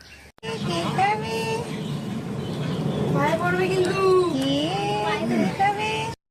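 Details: An Indian Alexandrine parrot chatters in a high, speech-like voice with rising and falling word-like phrases, over steady background traffic hum.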